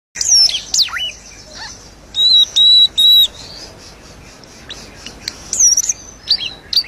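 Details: Asian glossy starling in lively song: sharp high whistles and squeaky slurred notes, three sustained flat whistles in a row, then scattered metallic chirps.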